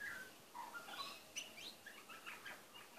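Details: A male pet butcherbird sings softly to himself: a rambling run of short whistles and chirps, some sliding, a few each second at medium-high pitch, over faint background hiss.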